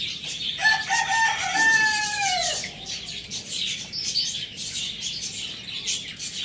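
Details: Rooster kept as a pet with hens, chicks and budgies gives one loud, drawn-out crow of rich harmonic tones that slides gently downward over about two seconds, followed by busy high chirping and twittering from budgies.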